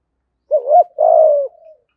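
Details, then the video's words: Decoy spotted dove delivering one 'giọng thổ' phrase: a rising-and-falling double coo runs into a sustained low coo that fades out with a soft trailing note. "Chim Cu Mồi Giọng Hay/ cu gáy giọng thổ đủ bài"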